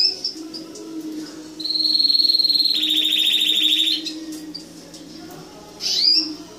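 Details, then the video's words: Canary singing: a steady high whistled note held for over a second, then a fast, even, buzzy trill of similar pitch for about a second, a pause, and a sharp rising whistle near the end, over a low constant hum. "Kanarya Ötüşü"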